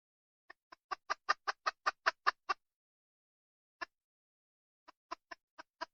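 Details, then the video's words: Wild junglefowl hen clucking: a quick run of about ten loud, clipped clucks, then a pause and scattered single clucks picking up again. "Suab poj qaib qus tsauj dib tuaj zoo heev"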